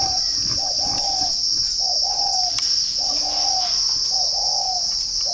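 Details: {'caption': 'Ba Vì, Hanoi spotted dove: gentle two-part coos, a short note followed by a longer one, repeated roughly every second, with a persistent high insect hum and an occasional click.'}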